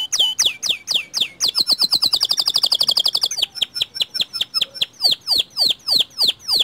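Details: White canary singing to set other canaries singing. It gives high, sharp downslurred notes repeated several times a second, then a fast buzzy trill, and returns to the repeated sweeping notes.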